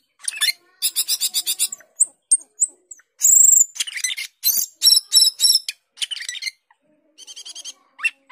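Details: Asian glossy starling, called cucak keling in Indonesia, a skilled mimic of other birds, in full energetic song: dense fast buzzy and rattling phrases, a loud sustained high squeal, then quicker chattering runs with short gaps.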